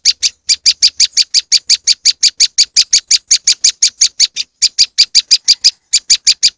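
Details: Moss wren lure sound: a fast, steady run of sharp, high chipping notes, about four to five a second, broken by two brief pauses.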